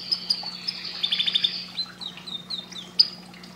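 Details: Canary song for breeding stimulation: crisp high chips open, then a rapid trill and a string of downward-slurred whistled notes, ending in one loud sharp note, over a faint steady hum.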